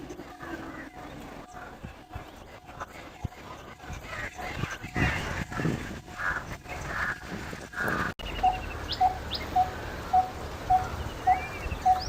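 A coppersmith barbet gives a steady series of hollow, low tonk notes, about two a second, after several seconds of rough background noise.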